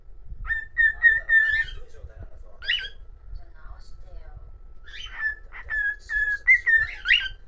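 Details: Cockatiel whistling a tune as a solo performance, with a run of short repeated whistled notes, then raspy bursts. It ends with a wavering whistled phrase and a harsh note, over faint low background noise.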